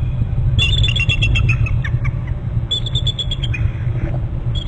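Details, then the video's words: Bald eagles at a nest and territory on Hornby Island, heard trilling before both fly into the nest; bursts of rapid, high chattering notes in two runs, over a steady low rumble of wind or machinery. "hearing trills; 801 more trills and both into the nest"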